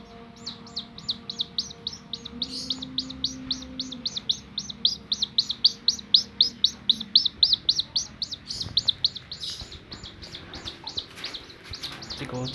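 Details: Domestic chick that stays close to its carer and runs toward the carer's fingers, giving loud, high, sharp peeps in a rapid string of nearly four per second for the whole stretch, with a faint low hum beneath.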